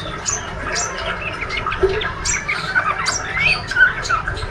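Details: Brief ngriwik twitter from a healthy spotted young male white-rumped shama: quick clicks and soft, scratchy notes with a couple of thin, slurred whistles toward the end.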